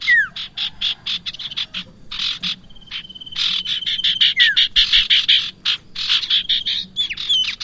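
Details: Bar-winged prinia calls used as a lure for trapping birds: rapid repeated sharp high notes in fast bursts, a brief steady whistled tone, and occasional falling whistled slurs, over a faint low hum.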